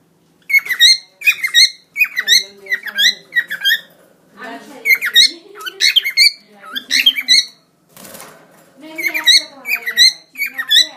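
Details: Cockatiel singing with wings spread: bright, repeated whistled phrases with quick upward inflections and some lower, raspy chatter.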